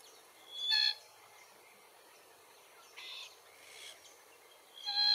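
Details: Glossy Black-Cockatoos, subspecies lathami, in Capertee Valley at feed trees eating Allocasuarina verticillata seeds; a few harsh, grating calls near one, three and five seconds over quiet background hiss.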